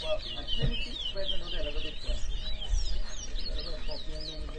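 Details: Chestnut-bellied seed finch (towa towa) singing at a 2023 bird whistling competition in Edinburgh Village, Guyana; rapid wavy high whistled notes run continuously over loud crowd talk and low rumble.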